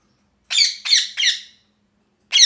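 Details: Three loud, grating parrot squawks in quick succession, each fading away, then another harsh squawk starting after a short silence.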